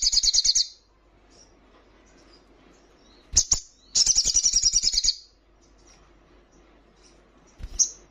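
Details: Female little spiderhunter in heat calling to the male: high, rapid trilled chattering bursts, one short burst at the start and a longer one of about a second, separated by silence, with a clicky note at the end.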